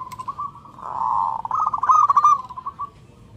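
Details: Local zebra dove, a lively and loud singer, calling for a companion: a low, mellow cooing run of quick pulsed notes that rises slightly and then trails off over about two seconds, with faint background hiss.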